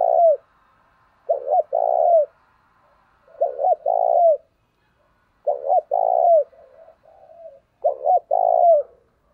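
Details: Spotted dove kept as a decoy to attract wild birds, giving a series of soft low coos. Each phrase is a quick double note leading into a longer, slightly falling coo, repeated roughly every two seconds.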